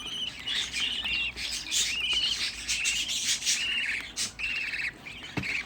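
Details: Sixteen captive budgerigar chicks kept together at home, calling in chorus: a dense run of bright, warbling chirps with short rising and falling notes, overlapping without pause, plus faint rustling.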